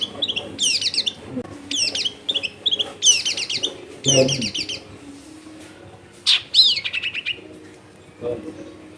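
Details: Long-tailed shrike, known locally as cendet, recorded in a crowded residential area, sings bursts of rapid sharp chattering and trilled phrases, some descending, with pauses between; faint household background noise.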